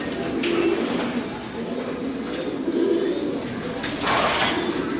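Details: Domestic fancy pigeons produce low, throaty coos in short rolling bursts, with a flock murmuring behind and a brief brighter note near the end.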